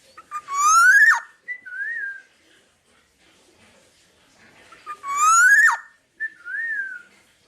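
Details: Black-naped Oriole used to train other birds: two phrases, each a loud harsh rising nasal note followed by a short mellow whistle and a soft arched fluty note, separated by silence.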